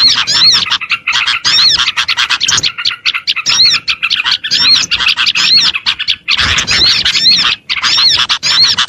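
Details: Chorus of small birds from a lure recording intended to attract small birds: steady high twittering with repeated looping whistles and quick chirps, growing denser near the end.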